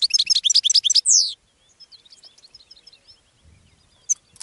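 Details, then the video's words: Goldfinch song to attract other birds: a fast high twittering phrase ending in a down-slurred note, followed by quieter soft chirps in the background and a faint low rumble. "GOLDFINCH SONG to ATTRACT Other Birds"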